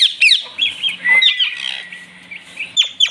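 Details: Rose-ringed (Indian ringneck) parakeet, a talking pet bird greeting a new baby ringneck, gives a run of harsh, high squawks and chattering notes, ending in two sharp downward screeches.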